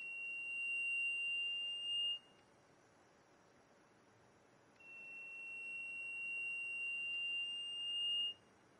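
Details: A black-and-gold cotinga (Lipaugus ater) at Serra do Mar State Park, Cunha, Brazil, in 2004, gives two long, pure, high whistles of about two and three and a half seconds. Each swells slightly before stopping abruptly.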